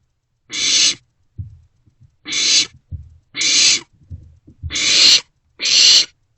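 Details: Barn owlets sharing a meal in an owl box in the early hours of 27 March 2024; five rasping hiss bursts at irregular intervals, with low knocks and shuffling sounds in between.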